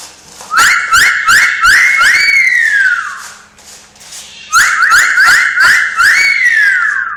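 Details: Talking parrot repeats a whistled tune two times, each a string of brisk upward-flicking notes ending in one drawn-out note that rises then falls, over soft knocking sounds in a small room.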